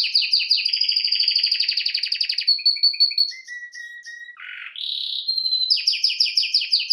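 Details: Canary, Serinus canaria, singing for training: rapid trills of repeated high notes, then steady whistled tones and a buzzy burst, ending in fast repeated chirps.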